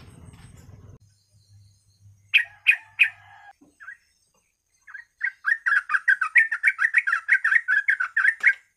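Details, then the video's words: Lure track for yellow-vented bulbuls: low noise at first, three sharp loud notes, a pause, then a fast, even chain of chattering, warbled notes. "TRUCUK GACOR,TRUCUK ROPEL,PANCINGAN BURUNG TRUCUK AGAR GACOR DORR"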